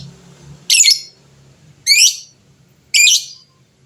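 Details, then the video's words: Lovebird of a fighter type, calling to provoke rival birds into answering; three harsh, buzzy high chirps about a second apart, each a short noisy burst. "suara burung lovebird fighter gacor, cepat bikin lawan bunyi bersautan"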